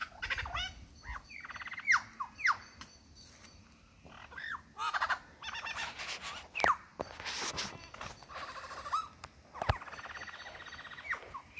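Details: Lyrebird in the Dandenongs singing his repertoire of songs and sounds to impress a female: loud rapid downward-swept whistles, sharp clicks and cracks, chattering bursts and fluty phrases following one another with hardly a pause.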